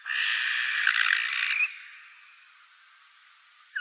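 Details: Morning Eurasian jay, Wittlich valley, 2018: a single loud, hoarse screech lasting well over a second, then quiet with a faint chirp at the end.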